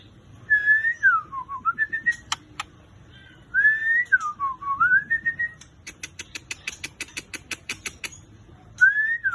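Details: White-rumped shama singing in the torotol style: a clear whistled phrase that dips and rises, repeated twice, followed by a fast series of sharp clicking ticks and a final whistle starting again.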